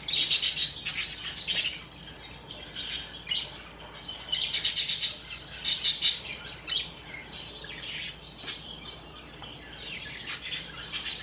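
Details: Happy budgerigars chirping: bright, rapid high-pitched warbling chatter in bursts, with rattling trills and squeaks, several birds calling together, louder stretches around the start and middle.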